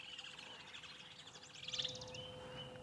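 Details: Woodland kingfishers calling on a morning safari drive on 3 December 2016, not far off but out of sight: a high, rapid, pulsing trill lasting about a second, over a faint steady outdoor hum.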